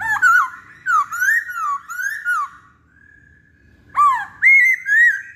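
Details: Lure song of a masked laughingthrush: a string of ringing, slurred whistles rising and falling, a short pause with a faint steady tone, then more loud whistles.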